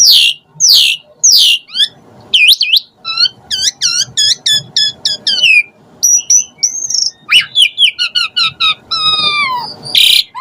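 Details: Asian pied starling in persistent, varied fill-in song: piercing downslurred whistles, a run of repeated U-shaped chirps, squeaky trills and a final rising screech, nearly continuous throughout.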